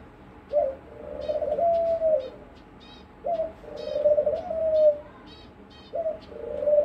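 A dove gives low, hollow coos, each a short rising note drawn into a long mellow hoot, three phrases about every two to three seconds; faint high bird chirps behind.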